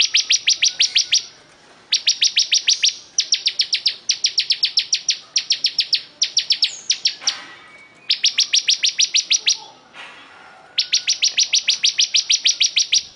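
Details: Bar-winged prinia singing vigorously: loud bursts of rapid, sharp, high-pitched chips, each run about a second long with eight to ten notes, repeated after brief pauses, with a few softer chirps in between.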